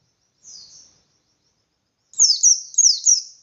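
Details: Pleci or white-eye song used to provoke other white-eyes: a soft, thin warbled phrase, a pause, then four loud, high, downslurred notes in quick succession.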